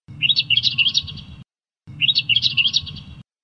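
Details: Australian reed warbler, endemic to Australia and found in reeds. A dense, chattering phrase of rapid, varied notes is given twice, with a short pause between the two.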